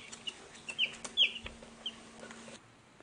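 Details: A few soft, high chicken chick peeps, short and falling, spaced irregularly over a low steady hum.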